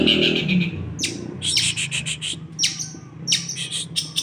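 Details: A long-tailed shrike gives harsh, loud squawks and rapid runs of scratchy, high chirps in short bursts every second or so, with a faint low rumble beneath.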